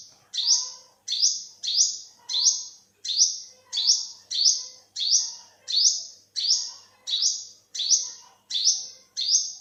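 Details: Olive-backed sunbird repeating a thin, high call roughly every two-thirds of a second, about fifteen notes, each snapping upward then thinning out, over quiet background twitters.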